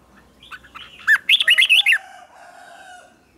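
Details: Red-whiskered bulbul singing in the morning, a training song for other bulbuls: a few soft chirps, then a loud run of six rapid, liquid, downward-bending notes, with a thin steady tone lingering afterwards.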